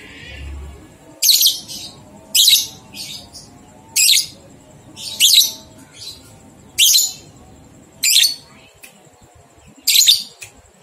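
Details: Lovebird ngekek song used as a training recording to get two-month-old young lovebirds singing: long, shrill, rapid chattering bursts repeated about every 1.5 seconds over a steady background hum.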